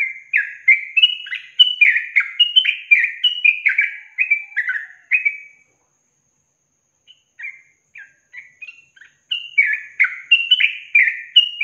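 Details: Long-trill song of a yellow-vented bulbul, recorded for training other songbirds: rapid, liquid warbled phrases running for about five seconds, a brief pause, softer scattered notes, then another fast bubbling run.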